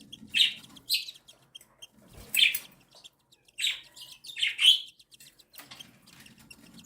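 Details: Cockatiel chicks, aged one day and seven days, begging while their mother feeds them; loud, harsh, buzzy bursts recur about every second amid fine rapid pulsing, with soft low rustling between calls.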